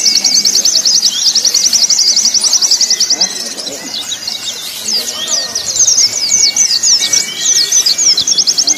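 White-eye song: rapid, high, twittering trills and chattering phrases in continuous bursts, with several birds overlapping.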